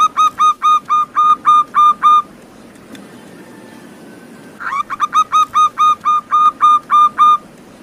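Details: : Local wild zebra dove song, used to prompt captive doves that are reluctant to sing. Two bursts of about ten ringing, harmonic coos each. The notes rise sharply then hold level, roughly four per second. A quiet pause of over two seconds separates the bursts.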